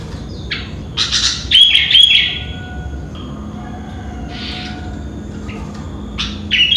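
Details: Sooty-headed bulbul singing in the morning, around 5 am. Bright, bubbly chirped phrases come in loud bursts near the start and end, with quieter notes between them. A steady low background hum runs throughout.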